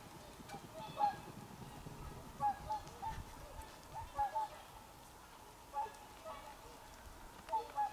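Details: Honking of swans on 24 December 2020, with brief nasal notes in loose pairs and singles separated by pauses of a second or more, against constant low-pitched rumble.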